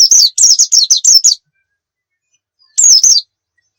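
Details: Oriental white-eye as a song tutor for other birds: a fast series of high, sliding tweets over about one and a half seconds, a long pause, then a brief three-note follow-up phrase.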